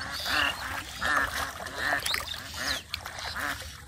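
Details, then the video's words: Village ducks call at the water's edge near a boy fishing for catfish in mud; harsh, buzzy quacks repeat in a regular rhythm roughly every 0.7 seconds over faint background splashing. "The Ducks are Making Beautiful Sound From The Side"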